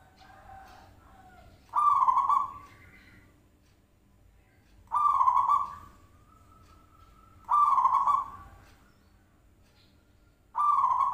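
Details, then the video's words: Lure recording of a zebra dove calling to provoke a reply. Four strong, rattling coos come about every three seconds, each with a faint drawn-out tail, and soft low cooing sits between them. "Pancingan Perkutut Klik Langsung Nyaut"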